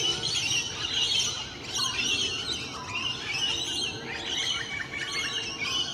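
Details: Wild Rainbow Lorikeets socialising on a morning: steady, high-pitched screechy chattering from many birds, thick and overlapping, with sharper squeals flickering through the whole stretch.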